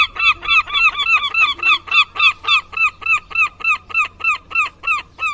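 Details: Seagull calling in a fast, steady series of loud, nasal, arched notes, about three or four per second, each strongly harmonic and evenly spaced, with no other clear sounds.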